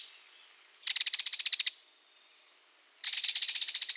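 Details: Belted kingfisher (Megaceryle alcyon), heard approaching along a creek, gives two dry, harsh, clattering rattles, each a rapid burst of about a dozen clicks under a second long, with a pause between.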